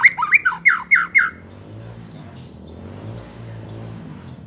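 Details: Song of a white-rumped shama aimed at stirring rival shamas: a quick string of five loud descending slurred notes lasting just over a second, followed by quiet low background hum.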